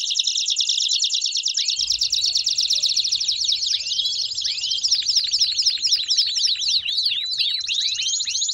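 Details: 'Baderna'-style canary singing, meant to warm up other canaries: an unbroken stream of very fast, high chattering notes with repeated rising and falling whistled swoops woven through, energetic and dense throughout.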